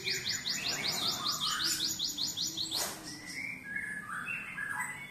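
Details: Cinereous tit, a caged bird trained with canary song, singing: a fast run of high, rising, repeated chips about eight per second, then lower whistled, warbling phrases. A faint hum or music sits underneath.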